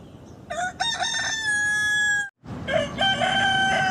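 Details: Two rooster crows in quick succession, each a loud harmonic call with stepped opening notes and a long held ending, over a constant noisy background with a brief silence between.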